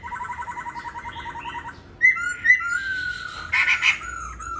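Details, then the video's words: Caged laughingthrush kept at home in Hà Nội, Vietnam, its tail feathers molting, opens with a fast buzzy trill, then gives clear rising whistles and a harsh burst near the end. "Khướu rất tố chất"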